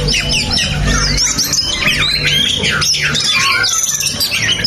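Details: Oriental magpie-robin, a promising bird with abundant fill-in (mimicked phrases), singing rapid, varied whistled and chattering phrases that sweep up and down, dense and continuous throughout, over a steady low hum.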